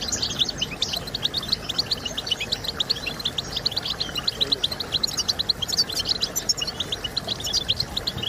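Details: European goldfinch song for stimulating birds to sing: lively chatter of thin, high chirps repeated rapidly, occasional louder ringing notes, steady background hiss throughout.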